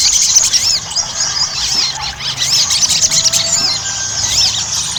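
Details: Sogon, or Ruby-cheeked sunbird, chattering in gacor ngobra style as a lure to make birds sing: a steady stream of very high, shrill twittering with arched slurred notes layered over one another.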